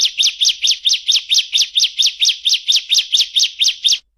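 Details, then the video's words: About seventeen sharp up-and-down whistled notes, roughly four each second, evenly spaced in a bar-winged prinia's clear 'nembak' song meant for training competition birds. "Masteran Ciblek Gacor Nembak Ngebren Rapat Jernih"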